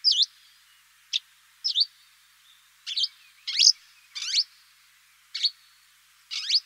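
Eurasian crag martin giving short, high chirps and rougher trilled notes, about one every half second to second, unevenly spaced, with nothing else heard.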